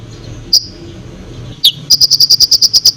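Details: Konin singing to stir up other birds: a couple of isolated sharp chirps, then a fast, even rattle of about ten high clicking notes, over a low rumbling background.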